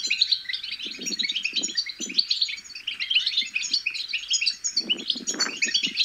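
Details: Twittering bitbita of young European goldfinches, said to encourage goldfinches to sing and to prompt females to mate. Dense high chirrups pour out nonstop over soft low scuffing sounds.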